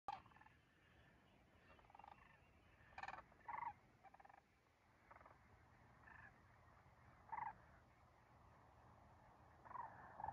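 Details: Several sandhill cranes flying south in the morning sunlight give rolling, rattling bugles in short bursts every second or two, calls overlapping, over a faint steady background hum.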